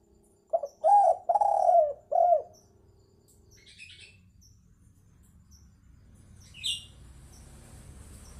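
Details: Spotted dove call meant for luring birds: a quick series of four hoarse coos, the middle one longest, then near silence with a faint high chirp and low background rumble.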